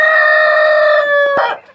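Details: Rooster crowing at a backyard poultry farm in Rio das Ostras, Rio de Janeiro, Brazil: a long, loud, steady note holding its pitch over a second, then breaking off.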